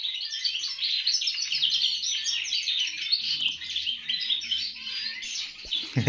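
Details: Domestic canary in an aviary, raised beside a male European goldfinch and singing copied goldfinch-like song, learned naturally without a copy box; a dense, continuous run of fast twittering, chirping high notes, with other aviary birds singing and a brief clatter at the end.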